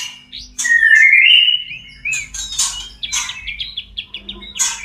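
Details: Caged white-rumped shama in mating condition: a loud, clear drawn-out whistle, then a string of short repeated whistled notes and scratchy bursts, with a steady low hum behind.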